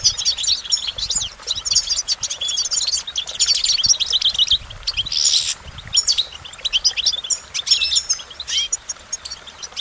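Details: Goldfinch song: a dense, fast twittering of high, thin chirps and short liquid trills, with bright notes sliding up and down, running almost without pause through the whole stretch.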